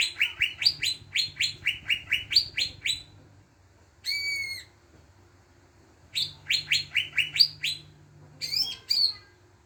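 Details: Greater green leafbird song used as a lure to prompt other birds to sing: quick series of sharp rising chirps in rapid bursts, separated by a long smooth whistle and pauses, over a faint low hum.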